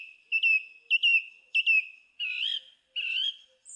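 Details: Song thrush: a fluty phrase with an upward kink, repeated three times, then a harsher, wavering whistle given twice, and a brief very high squeak at the end.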